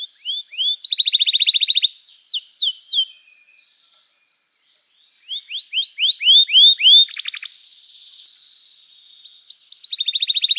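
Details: Canary singing 'gacor cuit cuit emosi', a song played to get other canaries answering and to coax quiet canaries into song: upslurred whistles, tight rapid trills, sharp downward notes and quiet gaps between phrases.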